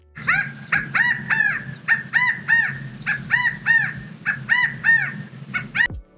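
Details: California Quail in California repeat the loud, arched three-note chi-CA-go call, each note rising then falling, in quick runs, keeping the flock together and signalling safety; a soft low musical hum plays underneath.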